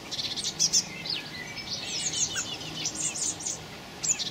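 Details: Common blackbird fledglings begging, recorded 26 May 2018: thin, high chirps and squeaky notes repeated in quick irregular bursts, several overlapping, with brief louder peaks and faint background hiss.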